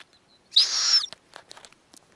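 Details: A single brief, high, rasping squeal arches slightly and then falls away, recorded at a snowy owl nest as the mother feeds tiny owlets; soft rustling follows.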